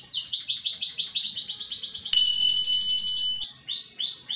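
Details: Canary described as excitable and always emotional, starting to get noisy: rapid trilled tours of repeated high syllables, a descending sweep into a fast buzzy rattle, then slower rising chirps repeated about every quarter second.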